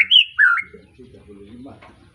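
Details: Juvenile white-rumped shama just through its moult, caged in Pemalang, Indonesia, from an Arko Tangerang bloodline, utters two quick bright whistled notes, the second dipping then jumping upward, followed by faint low murmuring sounds.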